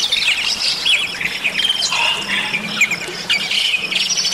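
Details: Bali myna song used as a training recording, with dense varied chirps, squawky notes and overlapping whistles, busy high-pitched phrases running throughout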